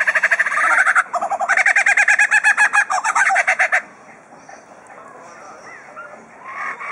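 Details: Mimicking superb lyrebird in captivity at Adelaide Zoo, Australia: rapid loud rhythmic pulsed bursts, about four per second, run for nearly four seconds with a brief break, followed by quiet scattered notes and a rising whistle.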